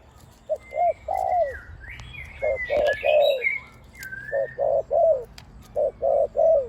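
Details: Big-voiced spotted dove used as a decoy in ground, perch and pen trapping. It gives a 'kuk' and then 'khu-ang' cooing almost throughout: clusters of two or three low, mellow coos, the last slurring downward. Other birds whistle clear falling notes in the background.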